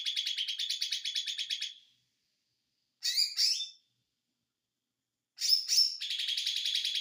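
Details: Small white-eye called ijo mini in konslet song: a rapid high trill, a pause, a pair of sharp squeaky sweeps, then more squeaks flowing into another buzzy trill.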